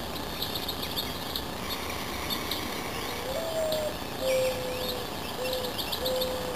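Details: A dove on a morning in the Sny Magill Valley of northeastern Iowa gives soft, low hooting coos, one slightly rising note and then several steady ones about a second apart, over high twittering from other birds and a constant hum.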